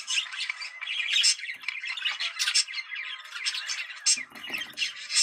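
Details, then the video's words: Sound for stimulating budgerigars to breed: continuous dense warbling and scratchy twitter from several birds, steady in loudness, with a faint low rustle toward the end. "Muhabbet Kuşu Kızıştırma Çiftleştirme Sesi"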